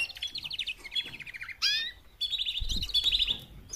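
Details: Four female canaries calling to get males singing; rapid pulsed trills in short series, a bright upward-sweeping note, then a longer dense trill over a low thud.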